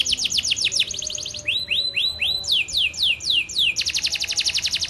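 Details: Lively canary song mixing fast high trills with slower, lower downward swoops and a rising run, finishing in a dense, rapid buzzing trill.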